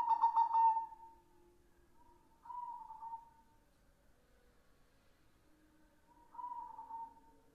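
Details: Perkutut putih, a white red-eyed zebra dove, in full song: loud mellow warbling coos, each phrase a soft trilled opening fading into a level coo, repeated roughly every three to four seconds.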